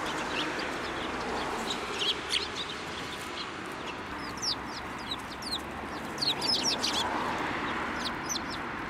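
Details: A flock of Eurasian tree sparrows flying onto a person's hand to be fed at a Tenmangu shrine, Japan, on 9 December 2023; many busy overlapping chirps and twitters, densest toward the end, over soft background noise.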